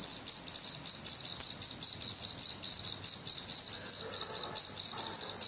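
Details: Black Redstart nestlings, hungry and nearly fledged, in a Portuguese nest on 17 May 2020; their high buzzy begging chorus throbs steadily about four times a second.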